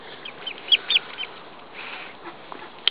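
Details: A newly hatching Muscovy duckling, replying to its mother hen on a cold day, gives thin, high, slightly rising peeps, four within the first second and a half, then one more at the end, over a soft background hiss.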